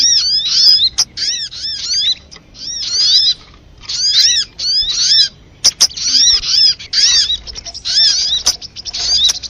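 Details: Sunbird lure audio, the sogok ontong type, used to make birds sing and stick to birdlime: repeated sharp chirp clusters and quick twitters, with a longer pause midway, then denser chatter.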